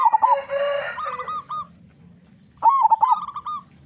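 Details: Local zebra dove with a loud, big voice, used as a lure to prompt other doves to sing: two rolling, stuttered cooing phrases about two and a half seconds apart, with a brief rough burst and soft background noise between.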